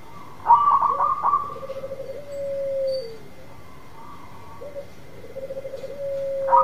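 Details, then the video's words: Singing local zebra dove luring a dove that has stopped calling: a choppy, bright cooing burst sliding into a long, low even trill, then a softer fragment and a fresh trill near the end. "Perkutut lokal gacor memikat perkutut yang macet bunyi"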